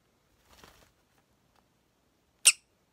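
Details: A pet sun conure gives a single tiny, sharp, hissing sneeze, a quick high puff of air, after a moment of soft rustling indoors.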